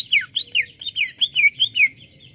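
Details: Greater green leafbird (cucak ijo) song meant to stir up other birds: loud swooping whistles sliding down and up, about eight notes in quick succession over a low background rumble.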